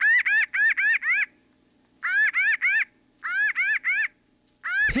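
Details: Pinyon Jay in northern Arizona, a social bird, giving comical quick bursts of three to five nasal, laughing 'queh' notes, each burst about a second long with short pauses between.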